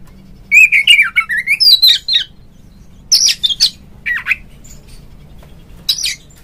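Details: Oriental magpie-robin singing to get other magpie-robins going: a rich warbled run of slurred whistles climbing in pitch, then separated bursts of harsh scratchy notes and a short downslurred whistle, with pauses between phrases over a low steady hum.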